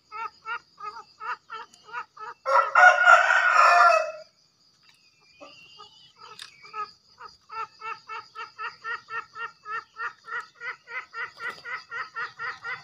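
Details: Green junglefowl from Java, played as a master recording to train newly caught or quiet birds and to lure wild ones: rapid harmonic clucking notes about four per second, broken by a loud harsh burst, with a steady faint electronic tone.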